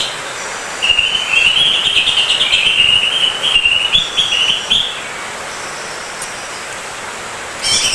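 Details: Greater green leafbird singing a sustained high, rapid warbling trill lasting about four seconds, wavering slightly in pitch and loudness before stopping abruptly; a short burst of another sound near the end over steady background hiss.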